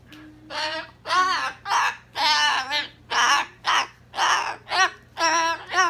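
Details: Pet cockatoo, dancing indoors, gives a rapid series of harsh, raspy squawks, about two per second, while its owner praises and urges it to keep singing.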